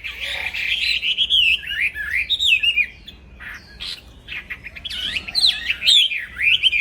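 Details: Black-throated laughingthrush, aviary bird, singing uninterrupted for songbird training: wavering, swooping whistles, a quieter stretch of soft notes in the middle, then a loud burst of bright looping phrases.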